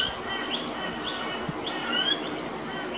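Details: Juvenile pied butcherbird, one of two young, being fed minced beef by an adult on a veranda: short, harsh, upward-sweeping chirps repeated roughly every half second, some doubled, over a steady background hiss.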